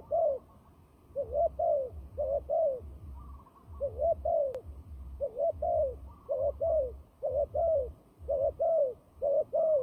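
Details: Turtle dove known as a fighting dove, used in trapping: a steady run of coupled coos, roughly one pair per second, mellow and throaty, over a soft low-pitched background drone.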